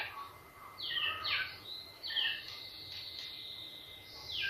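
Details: Quiet white-rumped shama lure song, aimed at getting other birds to sing: clear downslurred whistles spaced about a second apart, with soft background hiss.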